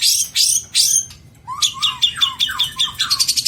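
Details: Long-tailed shrike singing a rich 'isian' song, material meant for tutoring other songbirds: three harsh buzzy high bursts, then a rapid run of chirps and short notes with lower slurred whistles, repeated quickly.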